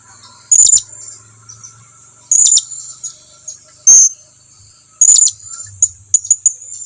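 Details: Blue-crowned hanging parrot calling its companions to approach: loud, very high, thin whistled notes repeated at irregular intervals over seven seconds, ending with a quick cluster of shorter chips.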